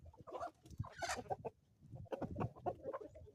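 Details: Homestead chickens in the Ozarks at morning give rapid, choppy clucks in two clusters, separated by a short lull.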